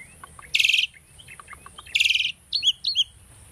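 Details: Caged Asian starling sings for bird training: two loud buzzy trilled bursts about a second and a half apart, faint clicks in between, then two short chirped notes.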